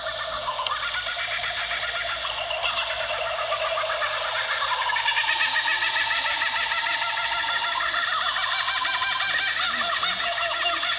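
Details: Laughing Kookaburras, new residents of an animal park, in a chorus of fast, rolling chuckles and hoots, several notes a second, rising into raucous laughter and falling again; a territorial call played back, slightly tinny throughout.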